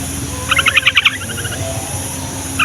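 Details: Trucukan, the yellow-vented bulbul, sings a quick series of about six clipped, bubbly notes, then fades into softer chatter. The song is offered as a lure to draw wild and caged bulbuls into answering.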